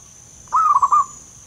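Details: Local zebra dove in the wild, thick-voiced: one quick phrase of three or four bubbling, rolling coos under half a second, over a steady high insect hum.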